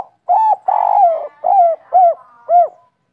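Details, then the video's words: Spotted dove of local type singing 'kuk 3': five loud coos, the second long and buzzy-toned, the rest short and rounded, spaced about half a second apart and falling slightly in pitch. "Derkuku kuk 3 lokal gacor ngamuk bikin ribut suara empuk langka"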